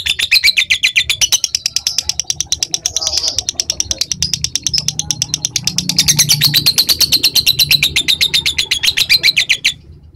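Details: Lovebird in a long 'ngekek' chattering bout used as a tutor recording: a sustained run of rapid, piercing high notes repeated nearly three per second, wavering slightly in pitch for ten seconds before stopping abruptly, with a low background hum.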